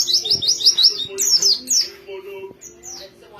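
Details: White-eye song opening with a rapid series of repeated high down-slurred chirps, then looser thin notes fading toward the end, a steady low hum underneath.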